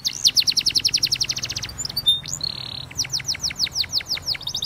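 Spanish Timbrado canary singing a fast, high trill of repeated notes, then a sustained metallic buzz and a run of sweeping descending notes, with no other sounds.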